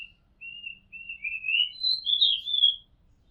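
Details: Oriental magpie-robin on a home rooftop delivering steady whistled notes that build into a loud, rising, fluty warble with quick slurred inflections toward the end.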